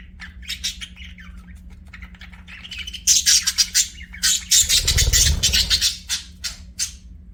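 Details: Budgerigars kept as pets sing and chirp in fast, scratchy, high-pitched chatter that grows denser and louder halfway through, with a brief low thump and constant background hum.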